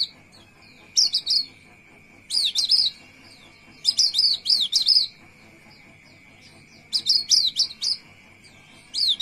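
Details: Javan white-eye (Zosterops flavus) song of the roll type: short bursts of quick, high, chattering phrases about every one to two seconds, with a constant faint whine in the background.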